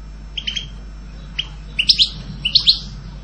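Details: European goldfinch giving a few short, high chirps, then a quick cluster of bright, tinkling notes near the end, over a quiet low hum.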